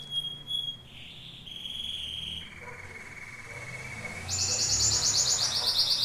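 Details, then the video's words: Domestic canary (Serinus canaria) song with varied phrases: short high whistles, a lower steady whistled note, a long falling tone, then a loud fast pulsing trill at the close; low background hum throughout. "Canto do CANÁRIO DOMÉSTICO"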